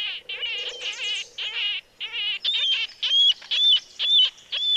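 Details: Marbled Murrelets give high, harsh, gull-like "keer" calls, about two a second in quick overlapping bursts. Birds are listened for by this call at first light, when parents use it to locate each other.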